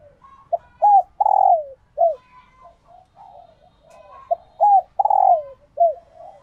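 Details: Captive laying-condition female spotted dove giving coos that stir males to call and court for breeding; loud clear sequence of short upswept notes followed by a long falling coo, repeated twice.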